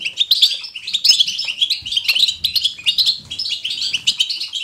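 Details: European goldfinch batbata song, chosen to stimulate other goldfinches to sing: hurried, tinkling twitters and scratchy trills in short bursts, with faint low thumps underneath.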